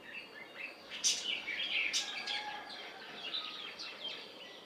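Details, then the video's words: Red-whiskered and red-vented bulbuls give bright, liquid chirps and short warbled phrases, loudest near the first and second seconds, with scattered quieter notes from more birds after. "BULBUL -Red whiskered & red Vented"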